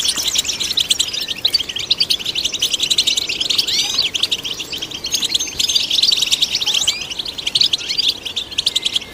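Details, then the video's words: European goldfinch song for stimulating goldfinches: continuous high twittering with rattling buzzy trills and scattered upward-flicking whistles, swelling slightly in the middle and near the end. "Golden Songbird vocal performance to stimulate the goldfinch"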